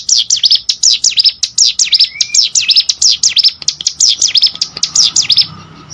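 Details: Plain prinia delivering a quick chain of shrill, sweeping notes, about four a second, for over five seconds before stopping, with a brief soft whistle partway through and a low hum underneath.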